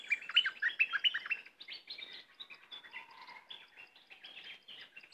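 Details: Loud, lively chatter from a cream-vented bulbul, a rapid cluster of sharp chirps and slurred whistles at first, then a quieter rambling series of varied notes.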